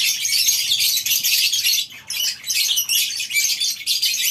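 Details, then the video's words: Many lovebirds in a colony aviary at a breeding farm in the morning, giving a dense, continuous chorus of shrill, high chattering chirps with brief dips in loudness. "Suara Love bird"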